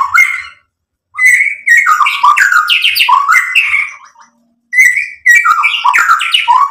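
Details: Energetic white-rumped shama song meant to excite other birds: two dense bursts of mixed whistles and rough, slurred notes separated by a brief silence.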